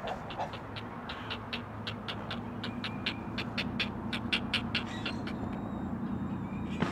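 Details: Great blue heron chicks, four in a Chesapeake nest watched by a live camera, call for their mother with quick, dry, ticking pulses in an uneven series, ending with a sharp knock and a low hum beneath.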